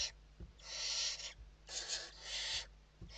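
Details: Barn owl young in a Spanish nest box at evening feeding, giving drawn-out harsh screeching hisses, two long overlapping rasps with scratchy knocks and shuffling in the background.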